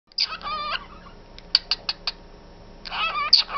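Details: A budgerigar, described as very happy, chatters in bright, scratchy warbles and quick clicks: two busy bursts separated by a string of short ticking notes.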